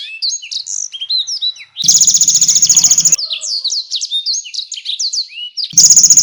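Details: Canary song meant for training fighter competition birds: rapid slurred chirps and sweeps alternating with loud, harsh, fast-pulsed trills, the last trill starting just before the end.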